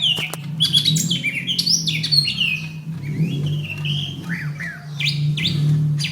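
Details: Greater green leafbird in fighting mode, recorded May 2016 as training material for other songbirds: varied whistled phrases, rising and falling slurs and sharp chips in quick succession over a constant low hum.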